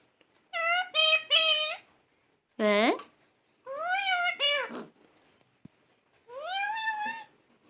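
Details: Pet parrot speaking indoors: several quick, nasal syllables, then one sharp falling squawk and longer wavering word-like phrases, with short silent gaps between them.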